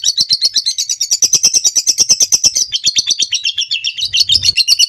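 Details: Long ngekek trill of a lovebird, recorded as training material for other birds: a sustained, fast, high-pitched chattering roll of evenly repeated pulses lasting the whole clip, with a faint low rustle near the end.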